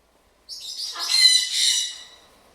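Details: Pet blue-and-gold macaw kept indoors with a sun conure and a parrotlet, making noise when bored and telling the other birds to stop; one harsh, raspy, drawn-out squawk swelling and fading over about two seconds.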